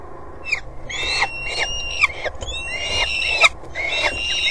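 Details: Peregrine falcons at their nest on a water tower in Axel, recorded between March and May 2011: harsh, wailing calls repeated roughly every half second, rich in overtones and rising and falling in pitch.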